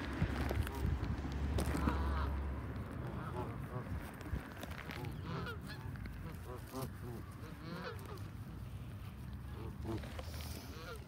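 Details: Flock of Canada geese being fed, honking continuously in overlapping nasal calls, several per second, with a low rumble of background noise underneath.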